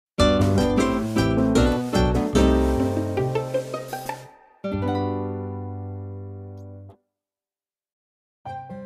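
Plucked guitar or harp music with descending notes, a brief gap and a short silence before the melody resumes.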